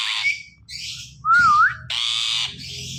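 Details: Ring-necked parakeet, a talking bird, imitating sounds: raspy broadband squawks alternate with a clear, wavering whistled note rising at its end, followed by more harsh, hissing calls; low room hum underneath.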